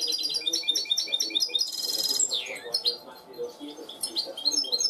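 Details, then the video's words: Goldfinch hybrid schooled in clean song: choppy high twitters leading into a dense buzzy trill, then a slurred descending note and scattered chirps. "mixto de jilguero educado a cante limpio"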